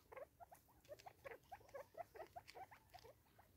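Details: In South Africa in 2024, Natal spurfowl compete over food, giving soft, rapid clucking notes at about four or five a second. The notes are low and slightly nasal, with faint pattering rustles underneath.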